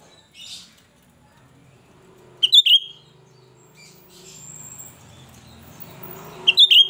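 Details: Cucak rante in full song, its shrill voice used to lure other cucak rante: a short faint high note, then two loud, piercing, rapidly warbled bursts about four seconds apart over a quiet background with a faint low hum.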